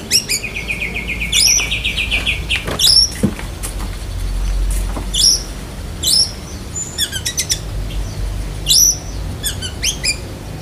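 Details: Black-breasted Oriental magpie-robin performing mimicry of other birds, lovebird among them: an opening rapid trill, then many separate sharp, shrill squeaks and ticking notes spaced a second or so apart, over a low rumble.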